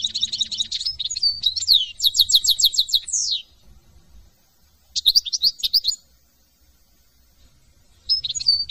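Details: European goldfinch song recorded in France, given in bursts: quick jangling twitters and a rattling trill with a falling slur, silence, another tinkling phrase, silence, then a fresh phrase begins.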